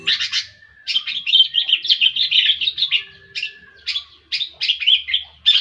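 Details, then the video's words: Long-tailed shrike singing a fast, varied, chattering song of dense scratchy notes and short warbled phrases, with brief pauses between bursts and a thin drawn-out whistle in the gaps. "Cendet pastol..jahat"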